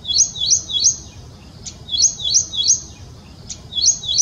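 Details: Ashy prinia, a small warbler of the Indian subcontinent, in a master recording for training songbirds: high chirped phrases of three quick notes, repeated after pauses of about a second, over faint background hiss.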